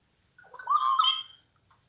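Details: Houbara bustard giving a single short harsh call, under two seconds, rough and broadband with a raspy rising middle and strong harmonics, in otherwise quiet surroundings.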